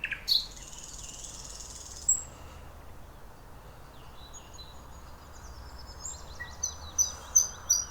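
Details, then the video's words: A Thrush nightingale sings at Lake Iidesjärvi, Tampere, Finland, in scattered bursts of high thin whistles and short clicking rattles spaced a few seconds apart, over a steady low background hum. "Satakieli laulaa"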